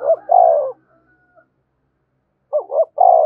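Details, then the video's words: Two low, mellow coo phrases from a spotted dove calling and provoking rivals, each short hoots closing in a drawn-out throaty note, separated by a pause of silence. "tiếng cu gáy thúc và gáy gọi/ cu gay kich boi nhanh noi gù"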